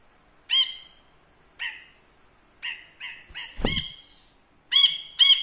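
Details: Ashy bulbul, a caged bird kept as a song tutor, performing up close: a series of bright, ringing, harmonic notes with clear gaps, some notes doubled. A short low thump is heard midway.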